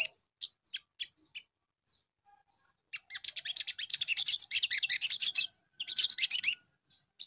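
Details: Crimson sunbird lure song for getting birds to answer quickly: a few spaced high single chips, then a long rapid, buzzy, shimmering twitter, a short gap and a final burst.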